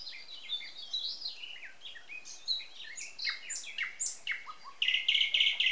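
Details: A May 2020 morning chorus in Samara Oblast, Russia: many high whistled and slurred notes overlapping, ending with a loud burst of rapid repeated trilled chips.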